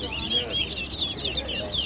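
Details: Fast, chattering warble from a towa towa competing at Guyana National Stadium, its notes tumbling rapidly, with people talking in the background.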